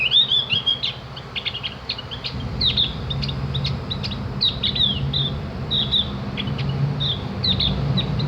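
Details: Javan grey-throated white-eye song for training birds to sing and chatter: energetic high warbled twitters and clicking notes repeated throughout, over a persistent low mechanical hum.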